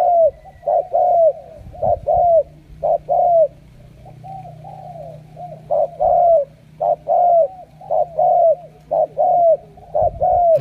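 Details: Spotted dove, a wild-caught decoy rated a super cooer; long run of low, soft coos, short and long notes in repeating phrases with one quieter gap, a faint steady hum underneath.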